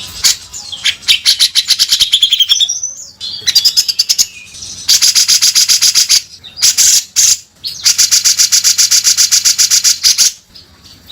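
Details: Harsh, rasping song of a grey-cheeked bulbul in rough beset kasar style, with long strings of fast grating notes broken by brief pauses and a few thin whistles.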